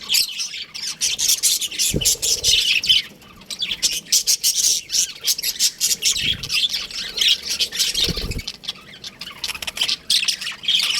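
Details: Baby budgerigars in an aviary chattering as a dense flock, with continuous high scratchy chirps and warbles overlapping throughout, and a few short low thumps at about 2, 6 and 8 seconds.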